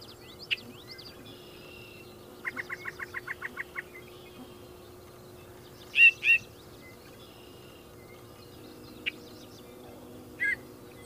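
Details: Yellow-breasted chat (Icteria virens) singing separate varied phrases: a quick rattle of about eight clipped notes, then a pair of loud whistled notes and isolated chips, with pauses between.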